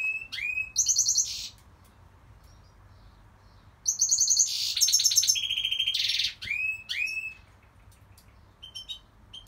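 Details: Singing goldfinch giving two bursts of quick, high twitters and buzzy trills, each opening with an upslurred note, separated by a quiet gap.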